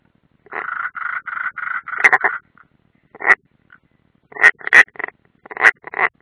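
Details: European roller at the nest, Ādaži training ground, 30 June 2016, live stream: a run of drawn-out, rasping, slightly nasal notes gives way to scattered sharp, harsh cracks and short grating calls.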